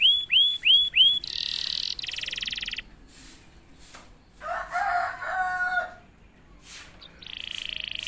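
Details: A canary sings after a single prompt: three clear rising whistles, then harsh buzzy rolls, a pause, and lower warbled notes before another high buzzy trill.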